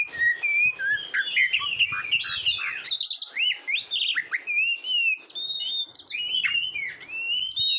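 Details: Kacer song meant to coach competition birds, from an Oriental magpie-robin: rich whistles, upward-sweeping notes and rapid chattering phrases, with brief pauses between bursts.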